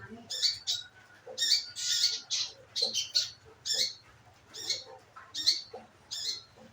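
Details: Scarlet minivet calls played as a lure to get the bird singing: high, thin notes in short clusters, some doubled, spaced unevenly over several seconds, with soft low chatter from other birds in the background.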